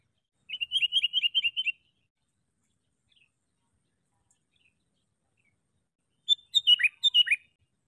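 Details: Sooty-headed bulbul used as a decoy bird for trapping bulbuls: a fast run of about eight bubbly, chirping notes, then a brief pause and a second burst of sharper, descending chirps.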